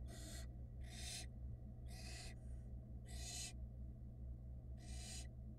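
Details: Nest-box barn owl chicks from a 2022 brood hiss in chorus: five loud, rasping, noisy bursts, each under a second long and roughly one second apart, over a constant low hum.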